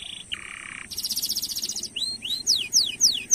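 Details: Canary singing in the Indonesian 'gacor' style, used as a lure to stimulate other canaries: a low buzzy trill, a fast pulsed high roll, then a run of steep, whistled downslurred notes.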